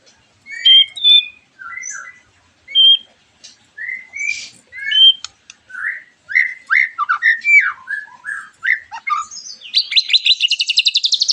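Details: Shama lure song to prompt other white-rumped shamas to reply: spaced whistles and scratchy notes that gradually quicken into varied slurred phrases, ending in a long fast buzzy trill.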